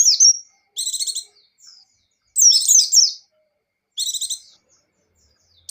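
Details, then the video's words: Vigorous gacor and ngecir song of a buxtoni white-eye (pleci): a bright slurred phrase, then pulsed high trills and a tangled warbling burst, with clean gaps between phrases. "Suara Burung Pleci Gacor + Pleci Ngecir"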